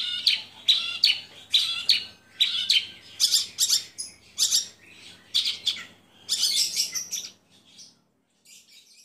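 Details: Mottled Javan bush lark in a cage, singing strongly: a steady string of scratchy high chirp phrases for about seven seconds, then fading to faint scattered notes.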